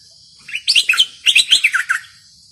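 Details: Bulbul in fierce singing style delivers two tight clusters of loud, clear, bubbling whistles, each note bouncing rapidly in pitch, packed into about one and a half seconds.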